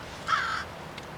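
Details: Black crow giving an odd, strange-sounding call: one short, harsh, nasal caw lasting about a third of a second, then quiet with faint background noise.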